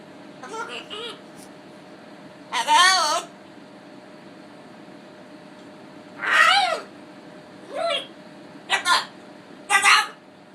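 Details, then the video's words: A pet bird that sneezes and talks gives five or six short, wavering, voice-like bursts, each about half a second long, spaced irregularly in a quiet room. "sneezing bird"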